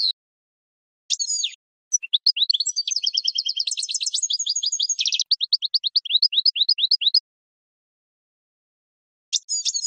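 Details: A European goldfinch song, meant for teaching other birds: a lively run of liquid twitters and a fast rattling trill, ending in evenly spaced bright chirps, then silence before another phrase starts.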